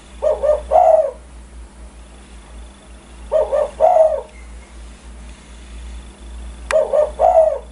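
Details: Spotted dove calling in a way said to set other birds calling; three soft cooing phrases of two to three rounded notes each, spaced about three seconds apart, with a sharp click near the end and a low steady hum beneath.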